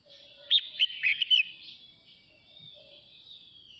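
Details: Male red-whiskered bulbul singing to call the flock: a quick burst of loud, warbled whistled notes in under a second, followed by softer faint chatter.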